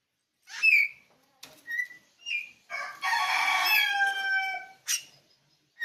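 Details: Oriental magpie-robin (kacer bali, pupuan) sings bright whistled notes and short slurs, then a long loud nasal, harmonic, crow-like drawn phrase lasting over a second, followed by scratchy bursts.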